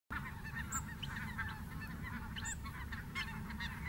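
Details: Snow geese taking flight at Merced NWF: a dense flock chorus of overlapping honks sits over a heavy low rumble of wind or handling noise, with a few sharper high clicks scattered through.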